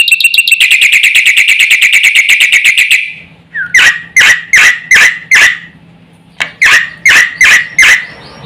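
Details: Black-winged myna in full, lively song, used to provoke other mynas into calling: a rapid run of repeated ringing notes about eight per second, then a pause and a series of separate loud, sharp descending strokes.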